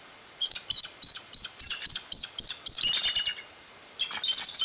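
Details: A bald eagle at the Fraser Point nest, 16 February 2019, around 1:30–2:30. It gives a rapid series of thin, high, piping chirps, several per second, ending in a jumbled squeal. Another burst follows after a pause.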